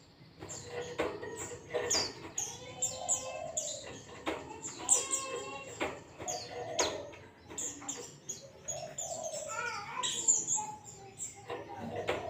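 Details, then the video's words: Zosterops singing a dense ngalas-style song, a training recording meant to stir another white-eye into song: rapid runs of high, sliding notes and buzzy, layered phrases, broken by sharp clicks and brief pauses. "zosterops bird sound"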